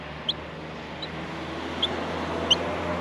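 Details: Baby Australian miners in a nest at feeding time give four brief, piercing high chirps spaced irregularly about half a second to a second apart, over steady low hum.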